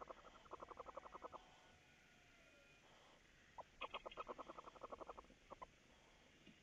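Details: Barn owls at a feeding at about 3:06 at night on May 27, 2018, give two bursts of rapid, chittering pulses, about ten a second, mid-pitched and scratchy, with a quiet pause between them.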